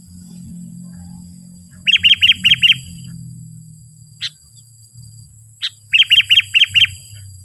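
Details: An actively singing Sooty-headed bulbul, used as a lure call to draw wild bulbuls, gives two bursts of five quick, bright, chirpy notes with single sharp chips between them, over a faint low rumble and a steady high hum.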